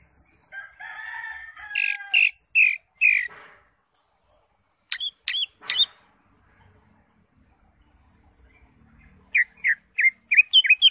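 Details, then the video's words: Greater green leafbird (cucak hijau), crest up, singing nonstop with many fill-in phrases, used as tutor song. Opens with a drawn-out scratchy note and loud clipped whistles, then brief chirps, then a fast series of bright upslurred notes. "CUCAK HIJAU (ijo) NGENTROK JAMBUL GACOR FULL ISIAN"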